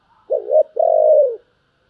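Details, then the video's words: Spotted dove song in the calling and urging styles: a single phrase of a short wavering coo followed by a longer, steady, slightly falling coo. "tiếng cu gáy Thúc và gáy gọi"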